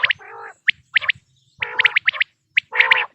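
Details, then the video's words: Quail sounds recorded for hunting, 2026 season. Sharp single and paired high chirps alternate with several drawn-out, nasal, harmonic buzzes, with brief pauses between them. "بٹیر کی آواز"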